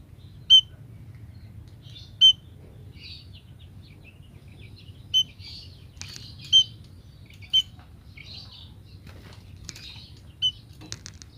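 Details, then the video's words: Female munia call said to bring males straight in: crisp, piercing single chirps at irregular gaps of one to three seconds, with scattered softer twittering and a constant low background hum. "emprit pejantan langsung datang setelah tahu suara emprit betina ini."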